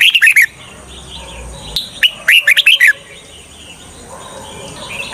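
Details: Decoy red-whiskered bulbul singing to attract wild birds into traps: short bursts of loud, slurred whistles at the start and middle, then softer warbling and a constant high hiss.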